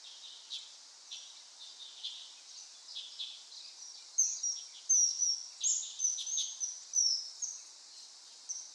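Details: Common kingfisher calling amid a hissing background of water or other birds; sharp high whistled notes come in a rapid run during the second half.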